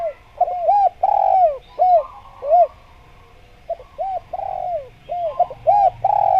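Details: Spotted dove in full voice, used to lure and trap wild doves and calling to companions: a series of hollow, arched coos, some short and clipped, some drawn out and falling, given in quick bursts.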